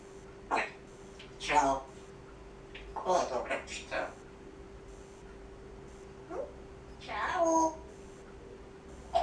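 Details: Talking grey parrot at home performing part of its repertoire: several separate speech-like utterances and short squeaky mimicked sounds with pauses between them, a steady electrical hum underneath.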